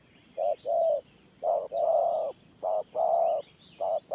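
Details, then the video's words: Spotted dove in Thổ Pha gù style repeating low hollow coos, short note then sustained note, about three to four pairs, while faint high twitters come from other birds. "Thổ Pha Nước Gù AE Tự Thẩm.Clip288_ Nết Gù coi sướng mắt"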